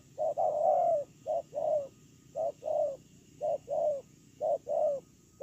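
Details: Ground decoy spotted dove dated 8/10/2018 giving repeated two-part coos, a clipped first note and a drawn-out, down-curving second, five pairs close together, with a soft hiss and hum behind.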